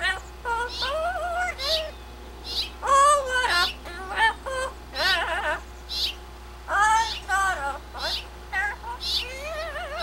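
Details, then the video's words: Pet blue-fronted amazon on its playpen running through its repertoire: dense, loud chatter of varied warbling whistles, speech-like wavering phrases and sharp squawks with short pauses between bursts, low hum beneath. "the Chatterbox Amazon parrot"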